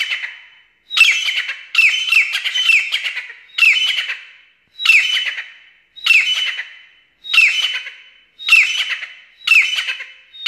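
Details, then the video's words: Black francolin, described as the Irani teetar variety, giving harsh, grating squawky phrases with a strong steady tone, repeated about once a second across ten seconds with short silent gaps; no other sounds heard. "Teetar | IRANI Teetar speaking"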